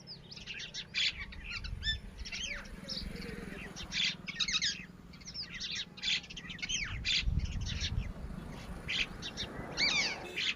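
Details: Continuous high chirping from Titehari chicks, the Red-wattled lapwing, with many short overlapping slurred notes throughout and low outdoor rumble underneath.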